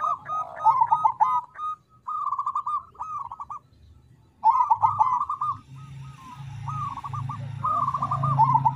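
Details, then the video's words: Zebra dove of crossbred stock, played as a lure to get birds singing, gives repeated bubbling coo phrases with a trailing hooked note, separated by short silences; a low steady hum runs underneath in the second half. "Suara Perkutut Krosing Untuk Pancingan Agar Mau Bunyi"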